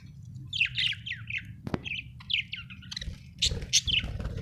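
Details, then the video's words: Budgerigar chirping happily in quick runs of short, rising, scratchy notes, a sharp click midway, then more chattering chirps over a low background hum. "happy budgie chirping sound"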